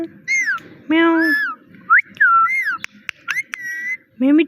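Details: Pet parrot saying "Mitthu Mitthu" and imitating a meow: deep voiced, harmonic word sounds mixed with clear rise-and-fall whistles, a few sharp clicks, and a final rising voiced syllable.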